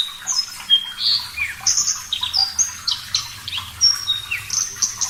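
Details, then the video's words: Vigorous, clear-voiced Javan bush lark song used to train cage birds: fast varied phrases of high whistles, slurred notes and buzzy chirps, nearly continuous, a few falling sharply in pitch. "Masteran Branjangan Parva Gacor Suara Jernih, Terapi Air"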